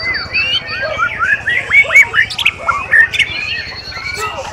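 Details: White-rumped shama (Murai Batu) singing at a bird-song contest practice session on 7 December 2017: loud, varied whistled phrases with rising and falling slurred notes and sharp chips, other birds singing behind and a steady low hum.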